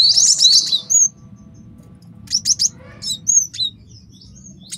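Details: Male cinereous tit, master song for tutoring and trapping: a brief buzzy jangle, then spaced thin high whistles and a few sharp chips with silent stretches between, over a soft low rumble.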